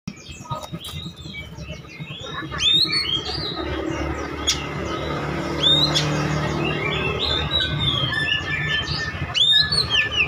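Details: Oriental magpie-robin singing, used to provoke other birds into answering: varied high whistled notes, sharp upslurs and chirps scattered over a steady loud low hum and rumbling background noise.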